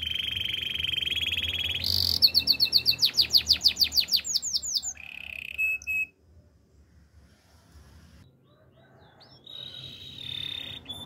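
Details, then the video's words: Canary delivering a buzzy roll and a rapid sweeping trill, a few short notes, then near silence before one faint buzzy phrase near the end. "Super relaxing canary birds sounds"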